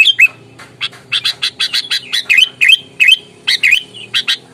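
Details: Fierce, fighting sooty-headed bulbul lure bird: scratchy chattering notes mixed with short down-slurred whistles, given in irregular bursts with a steady faint hum underneath.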